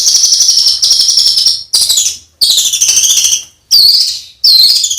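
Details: Songbird master for competition training with rough 'shot' fills: long, harsh, scratchy buzzing phrases about a second each, separated by short gaps, some ending in thin whistled slurs.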